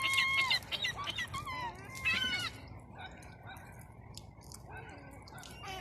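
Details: On a cold Sunday afternoon on a seafront, gulls give a quick run of harsh, nasal squealing calls, then fall quieter, over a steady wash of seaside wind and surf; fairly few calls because of the cold; Gull.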